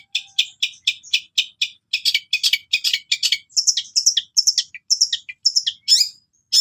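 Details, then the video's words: Long-tailed shrike (cendet) song packed with cililin-style imitations, a master for caged birds: evenly spaced harsh high notes, then denser chattering bursts and quick whistled slurs, steady and loud. "Burung Cendet Sultan Gacor Full Tembakan Gereja"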